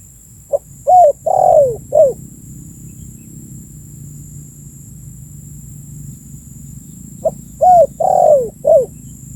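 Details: Spotted dove call for luring birds, given twice about seven seconds apart, each phrase a quick pip then three rounded coos with a drawn-out falling middle note, over a faint low rumble.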